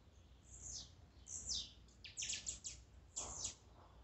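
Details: Blue-black grassquit song, used to excite and stir up a kept bird: several short, high, buzzy notes sweeping downward, spaced unevenly over about four seconds, with a low steady background hum.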